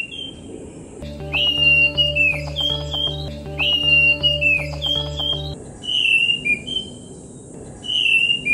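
Ashy thrush giving clear, high whistled phrases, some sliding down, roughly every two seconds. A steady musical backing plays under the middle of the song.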